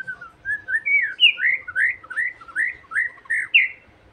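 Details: A White-rumped shama song used to provoke other shamas into singing: a fast run of rich, slurred whistles, about two notes a second, each swooping up and down in pitch, with a faint low hum behind.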